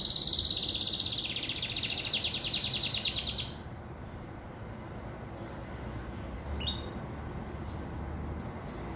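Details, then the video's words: Caged Pintagol, a hybrid of a Venezuelan siskin and a female Belgian canary, sings a rapid high buzzy trill for about three and a half seconds before going quiet, with only a couple of faint short chips afterwards. "Pintagol Venezuelano"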